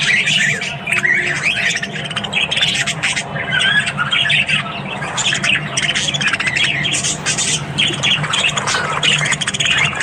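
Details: A flock of Australian budgies calling in the morning, constant twittering and harsh squawky notes layered over one another, with quick clicking bursts and a low steady hum behind.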